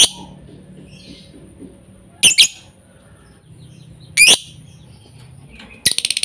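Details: Lovebird call used as a lure sound to make quiet lovebirds sing: two sharp, shrill double chirps a couple of seconds apart, then a brief rapid burst of high notes at the end, over a faint low hum.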